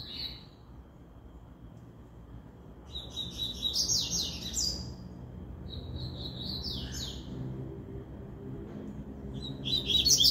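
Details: Double-collared seedeater, one of three birds in a singing contest of regional-style song; high, buzzy trilled phrases with rapid slurred notes, delivered in bursts separated by short pauses, over a low background hum.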